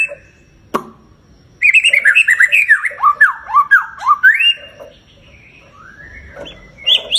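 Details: Lure song of a white-rumped shama, meant to provoke a pet bird into singing: after a sharp click, a fast run of clear whistled notes swoops up and down, then fades into softer rising whistles.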